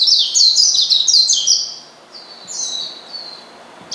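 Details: Oriental white-eye calling to provoke a rival: a quick, loud burst of high sliding chirps, followed by a few softer, thinner notes.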